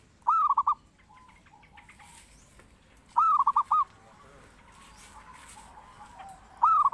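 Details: Perkutut, or zebra dove, singing strongly as lure and master audio; clear phrases of five fast, bubbling coos repeated about every three seconds, over quiet softer cooing in the background.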